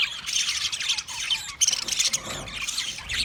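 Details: Budgerigar chatter, shrill squawks and twittering notes crowding together, a sharp louder burst near the middle, then continued busy chirping.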